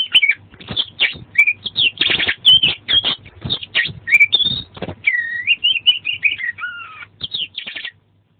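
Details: Kacer, the Oriental magpie-robin, in continuous lively song for bird training. Dense harsh rattles and chips alternate with bright looping whistles, and a long wavering whistled phrase appears near the end. There is a faint low hum beneath.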